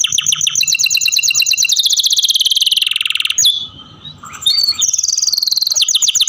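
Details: Song of pet canaries looked after at home: fast, bright trills and rolls in a continuous high stream, then a short pause with a few softer notes, then renewed rapid trilling.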